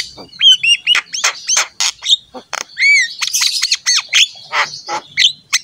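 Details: Black-winged myna singing energetically to train other mynas: clear arched whistles and rising slurs alternating with harsh grating squawks and sharp chips, in quick varied phrases.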